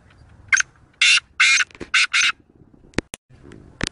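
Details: In Pakistan, a Sindhi black francolin (kala teetar) calls with a grating, ratchety phrase: a short opening note, then four longer buzzy, harsh notes evenly spaced. It ends with a few loud clicks over a quiet rural background.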